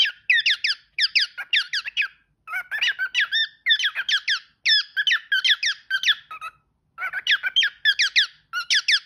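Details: Indoor pet parrot singing and talking, a fast rattling chatter of repeated upward-sweeping squeaks grouped in quick bursts of three to five notes, each burst separated by short breaks, followed by a spoken word.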